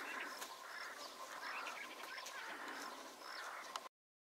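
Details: A lesser grey shrike in the Danube region of Odesa Oblast, Ukraine, in June 2015, gives harsh, scratchy chattering notes every second or so, mixed with thin high squeaks, over a steady background hiss.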